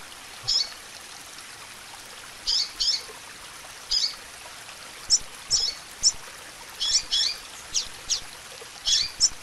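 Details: Female double-collared seedeater calling, a lively call meant to stir up the male: short high sharp chips, single and in pairs or small clusters, scattered irregularly across the clip over a soft steady hiss.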